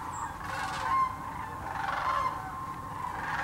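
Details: A huge flock of sandhill cranes at Hiwassee Wildlife Refuge, East Tennessee, calls together in a blended wash of rolling, trilled notes, with no single bird standing clear of the crowd.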